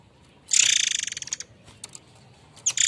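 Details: A murai air mancur, or white-rumped shama, delivering its harsh training notes. One long grating rattle of rapid pulses that weakens over about a second, then scattered clicks and a fresh burst starting at the end.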